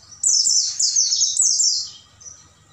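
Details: Oriental white-eye singing at night as tutor song for caged birds: one continuous, loud stream of very high, rippling chirps lasting over a second before fading to a softer note.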